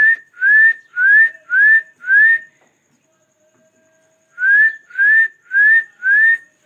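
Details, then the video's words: Talking parrot repeating short rising whistles, each swooping upward, four in quick succession, a pause of about two seconds, then four more in the same even rhythm. A quiet indoor background. "My Favorite parrots Talking amazing sounds different voices of parrots"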